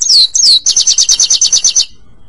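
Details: European goldfinch song, recorded for training pet birds: two high descending slurred whistles, then a rapid, even series of about ten bright, buzzy repeated notes that stops abruptly.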